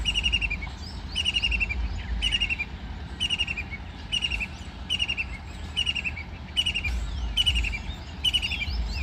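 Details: White-throated kingfisher bathing and flying: a string of short, harsh chattering notes repeated roughly every second, each a quick burst of stacked high tones, over a low rumble of background noise.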